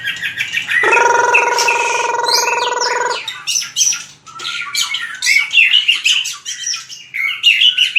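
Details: White-rumped shama fighting song (hót đấu) for voice training: opens with a harsh, buzzy drone of about two seconds, then rapid chattering and whistled notes in quick succession.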